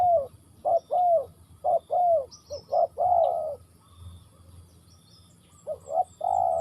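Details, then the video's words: Spotted dove in Ninh Thuận cooing in quick phrases of short clipped notes and longer falling coos, then a pause before resuming, with faint high twitters from other birds. "Cu gáy Ninh Thuận"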